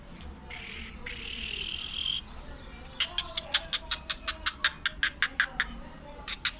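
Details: Black francolin of Sindhi strain, kept as a pet: a short hissing noisy burst, then a rapid run of about fifteen sharp, grating clicks at roughly five per second, lasting nearly three seconds, over low background hum.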